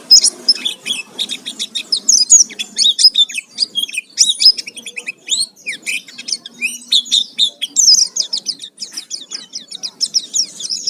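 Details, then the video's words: Oriental white-eye song played as a lure to provoke other birds into singing, full of varied phrases: long bursts of very high, rapid twittering chirps and trills, delivered almost without pause. "Pancingan suara pleci gacor full isian"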